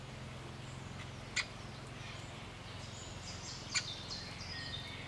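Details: Great spotted woodpecker with a youngster at a private bird-protection site in Elz, giving two sharp, abrupt 'kik' notes about two and a half seconds apart, with faint high twittering and a steady low hum behind.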